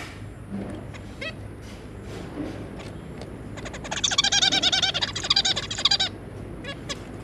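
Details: Zebra finch pair with their three juvenile young, recorded 3 July 2022: a few sparse nasal calls early, then a dense burst of rapid stacked chattering notes for about two seconds, with low background hum throughout.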